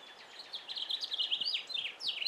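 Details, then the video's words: A male House Finch sings in a yard, even with his mouth full: a fast, jumbled warble of high, slurred and sweeping notes tumbling over one another, with faint background hiss; other wild birds seem to join in. "House Finch singing"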